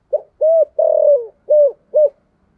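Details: Spotted dove kept as a decoy bird, singing in the 'giọng thổ' voice style of Vietnamese dove keepers: five low, hooting coos, the short first note leading to a longer drawn-out middle coo and two even closing notes, in a quiet indoor setting.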